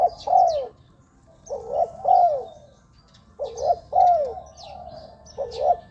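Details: Spotted dove lure calls for ground, branch or trap-cage decoying: paired coos with a longer falling second note, repeated in phrases roughly every two seconds, while small birds chirp faintly in the background.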